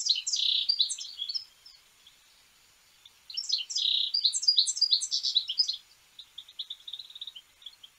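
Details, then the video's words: European goldfinch in song: two bursts of quick liquid twitters and buzzy slurred notes separated by a short pause, ending in a thin, dry, rapidly repeated chattering series. "cardelino cantando"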